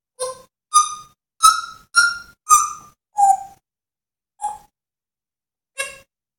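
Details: African grey parrot making animal sounds, giving a series of clear, tonal hooting whistles. Six come in quick succession, falling slightly in pitch, then two more follow after gaps.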